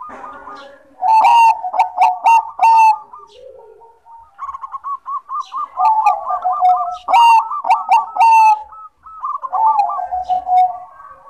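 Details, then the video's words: Bangkok-type zebra dove in frequent song, used as a lure for birds that rarely sing: soft, rolling coos made of fast, repeated notes, in overlapping phrases that run almost continuously, with a few sharp higher chirps early on. "Perkutut Bangkok Gacor, Bagus buat pancingan yang susah bunyi"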